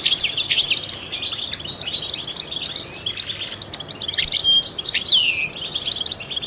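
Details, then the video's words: Professional-style song of a trained European goldfinch used to stimulate other songbirds: lively high twitters and chirps in rapid bursts, ending with a clear whistled note sliding downward. "in the wild goldfinches chirp to stimulate songbirds"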